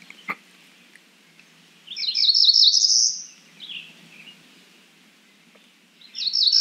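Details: Cerulean warbler calling, giving a loud, fast, buzzy trill that climbs in pitch and lasts about a second. It repeats after a quiet pause with faint clicks and a soft chirp.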